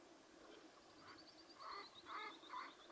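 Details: Partridge, kept as a tethered decoy during a partridge hunt, gives a series of three or four harsh, rasping clucks about half a second apart, rising in loudness, with a faint thin whistled series running above them.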